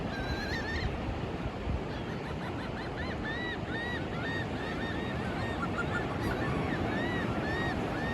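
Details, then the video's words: Gulls at sunrise on Daytona Beach, Florida, on a mostly sunny March 14, 2024, with light wind: several birds give rapid, repeated, arched harmonic calls, some overlapping, over a steady wash of surf. "Seagull sounds"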